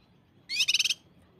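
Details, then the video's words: Cucak kinoi in a training recording to coax singing, 'tembakan rapat' style: one half-second burst of rapidly repeated, high, rising trilled notes, loud and pulsing, then silence. "Masteran cucak kinoi tembakan s4d1s tembakan rapat | pancingan cucak kinoi"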